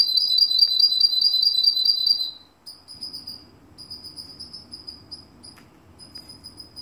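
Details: Russian canary in Kuwait sings a rapid, clear rolling trill for about two seconds, followed by a series of separate, evenly repeated high whistled notes over a faint background hum.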